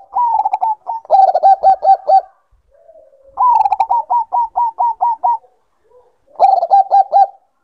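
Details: Zebra dove of the Bangkok type, in breeding condition, repeating quick rolling coos in stuttered runs of clipped notes, one long run of about eight beats, separated by a faint low drawn-out murmur.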